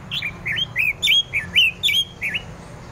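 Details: Orange-headed thrush in the teler singing style, a morning song used to stimulate other thrushes to sing; clear whistled phrases, each a sharp rising then level note, repeated about every third of a second with slight variations.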